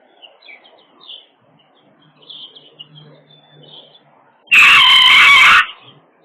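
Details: Chicken giving one loud, harsh screech lasting about a second, raspy and noisy across a wide range, after several seconds of faint, high chirping in the background.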